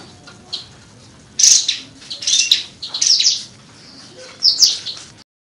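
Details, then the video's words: A Sooty-headed bulbul sings four bright, chattering phrases in about four seconds, each a quick burst of high notes, over a quiet background. "Suara Burung Kapas Tembak Gacor"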